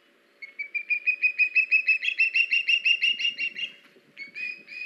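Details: Ospreys on a live nest camera, 21 August 2019, with a fish brought by the male to the female and a youngster in a tree; a rapid chain of whistled chirps swells and fades, pauses, then resumes.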